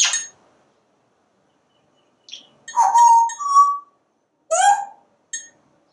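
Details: Parrot on a screened porch watching squirrels and birds: a sharp click, then a two-part rising, voice-like tonal phrase, a further rich syllable and a short faint note, separated by silence.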